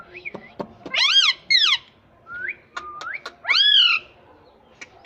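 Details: Pet parrot calling in a home with mixed sounds: clear rising whistles, harmonic-rich squawky calls around one and four seconds, and scattered sharp clicks.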